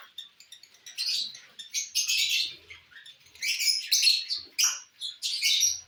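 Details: While eating corn, lovebirds keep up a near-continuous chatter of sharp, high, buzzy chirps that grow denser and louder toward the end.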